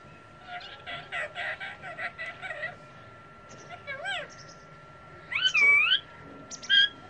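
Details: Pet parrot at home saying mia mithu: a series of short buzzy spoken syllables, then clear wavering whistles rising and falling, with a steady electrical hum behind.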